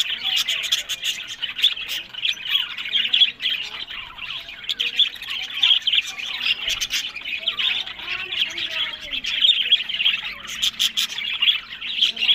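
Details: Pet budgerigars in a breeding setup in Larkana, Sindh, giving loud, steady chirping and scratchy squawks. Many birds call at once, making an unbroken high-pitched chatter with quick sharp clicks.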